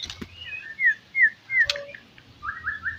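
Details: White-rumped shama song used to lure and provoke rival birds: a series of clear whistled slurs, some falling, some level, spaced by brief gaps, with a few sharp clicks.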